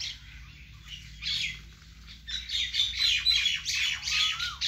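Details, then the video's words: Lively chirping of several birds in a vegetable garden, bursts of sharp high tweets growing busier after two seconds, with one short drawn-out whistle near the end. "vegetable Garden and natural bird sound"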